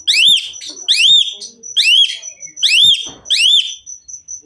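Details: Energetic Asian pied myna song: five arched, overtone-rich whistles in quick succession, with a faint high piping note running behind and soft clicks between phrases.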